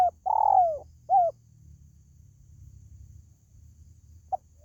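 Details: Spotted dove call, used to lure pet birds at home: a short coo, a longer falling coo and a short coo within about a second, then silence and one faint brief note near the end, over a low background hum.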